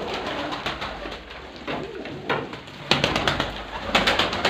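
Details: Several pigeons giving soft, rolling coos among a steady patter of clicks, flutters and scratching feet, with sharper wing claps in the second half.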